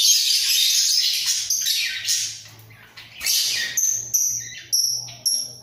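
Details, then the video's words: A budgerigar pair in a breeding cage, bobbing their heads: rough warbled chatter at first, then a run of clear, short, high whistled chirps repeated about every half second, with a faint low hum beneath. "Sepasang Burung Parkit Gacor"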